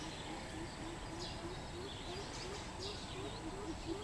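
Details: Greater coucal recorded 13 June 2020, giving a steady run of deep, hollow hoots, about three per second, held at one low pitch throughout, over constant hiss with faint higher chirps from other birds.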